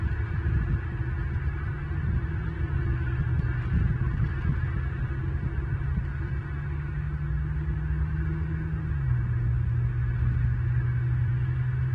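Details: Low steady hum and rumble with a droning tone and no animal calls.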